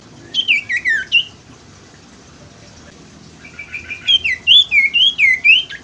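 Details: Common Iora lure song for birds that have stopped singing: a quick burst of slurred whistled notes, a pause, then a longer run of rapid, bouncing whistles rising and falling, with faint hiss behind.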